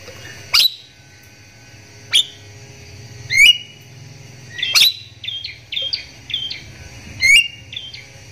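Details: Lure calls of a Javan myna meant to make other mynas call: sharp whistled upslurs and clicks at irregular intervals, then a quick run of short repeated chirps.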